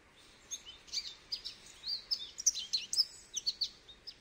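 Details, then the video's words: High, sweet twittering notes from a goldfinch, a quick series of slurred chirps growing louder toward the end over a light background hiss. "Goldfinch Bird Sounds"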